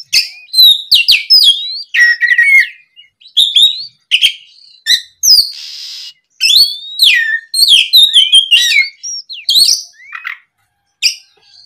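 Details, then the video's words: Long stretch of afternoon oriental magpie-robin song used as a lure: dense, loud whistles, chips and sweeping slurs in fast bursts, with one short hissy rasp midway. "SUARA PIKAT BURUNG KACER GACOR NGEPLONG SORE, MEMANCING KACER BAHAN AGAR LEKAS BUNYI NYAUT & GACOR!"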